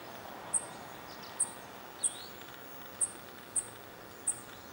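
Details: A fledgling Dark-eyed Junco begs incessantly from a railing in redwoods while both parents forage, Guerneville, Sonoma County, California, 7 May 2020, giving six very high, thin, sharp notes spaced unevenly half a second to a second apart over a steady hiss.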